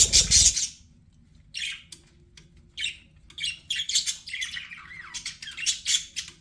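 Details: Pet budgies: a loud harsh squawk at the start, a pause, then scattered chirps grow into steady wavering warbles and scratchy chatter.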